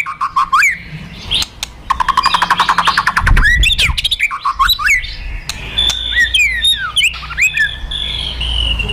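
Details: White-rumped shama, fighter type, giving a provoking kretekan and tembakan song: rising whistles, then a dense rapid rattle of clicks, followed by swooping slurred notes and a long thin high whistle at the end.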